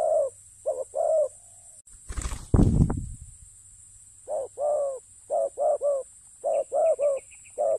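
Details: Spotted dove calling during ground decoy luring: soft, low two-part coos in quick sets, broken near the middle by a loud rustling thump, then the paired cooing resumes steadily.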